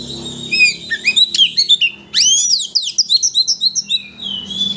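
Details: White-rumped shama singing to provoke another shama into its full repertoire, giving rising whistled slurs, then a burst of steep sweeping notes and a quick rhythmic series of short chirps.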